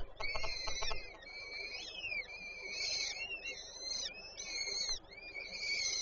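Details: Peregrine falcons at a Żerań, Warsaw nest on 8 May 2023, female feeding young; strained, wavering calls with swooping notes run throughout, and a brief low rumble and ticking at the very start.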